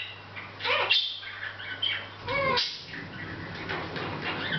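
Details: A Hahn's macaw, chatting without noticing the camera, gives harsh, scratchy squawks and mumbled phrases, a few bursts a second apart, with a low indoor hum underneath.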